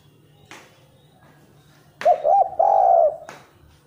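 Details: Spotted dove recorded as a lure for other doves, described as not a frequent singer but fairly good and faster. After two sharp clicks comes one low phrase: two short hoots, then an extended wavering coo, and a final click.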